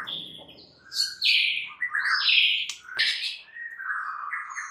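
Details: Champion white-rumped shama singing as a lure to spur other shamas into song. The bird delivers a rich, varied run of loud whistled phrases and harsh buzzy bursts that swoop up and down with almost no pause.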